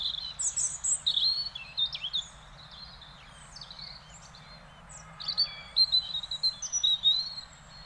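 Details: Wild European robin singing in Beverwijk, the Netherlands: high, liquid phrases of thin whistles and quick warbled notes, a burst at the start and another after a short pause, over faint background hum.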